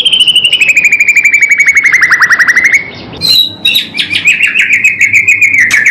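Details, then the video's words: White-rumped shama (murai batu) in a 'pastol' song style, used as a master recording for training caged birds: a long, rapid buzzy trill that slowly falls, then sharp high whistles and a fast, slightly rising chattering run. "masteran istimewa untuk melatih mental pastol murai part 1 batu"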